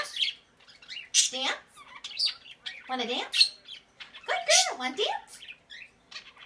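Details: A pet Quaker parrot chatters with high chirps mixed with several loud, grating squawks that dip and rise in pitch, spaced irregularly over a few seconds.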